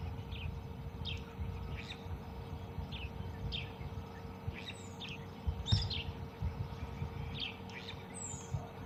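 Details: Brown-headed parrots on a misty sunrise game drive at dawn in Tswalu Kalahari Reserve, South Africa, 2 June 2020, give short, shrill squawks and squeaks, irregularly about once a second, over a steady low engine rumble.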